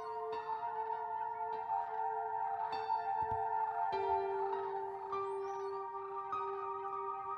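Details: Gentle ambient music with sustained bell-like tones and soft percussive strikes plays throughout, without animal sounds.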